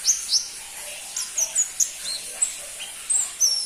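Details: Pentis pelangi, the crimson-breasted flowerpecker, singing a series of high, piercing tsip notes and brief downslurred whistles. The notes are spaced irregularly, about two or three each second, against faint hiss.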